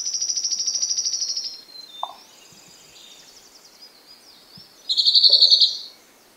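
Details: Sharp-billed treehunter song: a high, thin, rapid trill held for over a second, then a short pause and a second buzzy trill pitched a little lower. Quiet background, with a few faint soft knocks.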